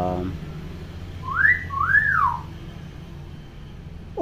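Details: Tame, clever hill myna kept as a talking bird, said to imitate any sound clearly; two slurred whistled notes rising then falling, the second longer, over low room hum, with child-like chatter nearby.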